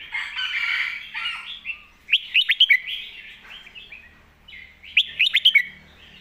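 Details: Master song with golden phrasing from a red-whiskered bulbul, given clearly. A loud, rich warble gives way to two bursts of rapid, sharp whistled notes about three seconds apart, with softer chatter between them.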